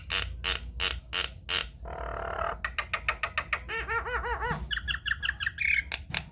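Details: Hill myna tutor recording made to draw other Nias mynas into song. A loud burst of harsh pulses leads into a rasping squawk, then repeated looping harmonic notes and chattering clicks, with a brief thin whistle near the end.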